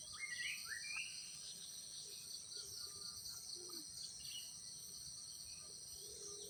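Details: Yellow-vented bulbul at its nest in the wild while the parent raises its young: a few bright, whistled, rising slurred notes near the start, then quieter notes, over a loud, steady high insect drone.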